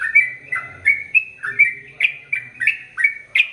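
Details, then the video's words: Energetic sooty-headed bulbul song: clear, bubbly notes in quick succession, rising and falling slurs about three per second, with a faint low hum beneath. "Trucukan Gacor ROPEL PANJANG"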